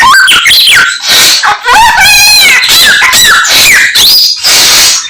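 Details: Chinese hwamei song full of other birds' voices; rippling rapid trill in the middle, framed by loud slurred whistles and rising glides.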